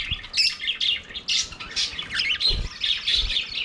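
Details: Aviary flock of budgerigars singing while playing, giving busy warbling chatter of quick chirps and short squeaky notes in bursts, with thin whistled tones and a couple of soft low knocks.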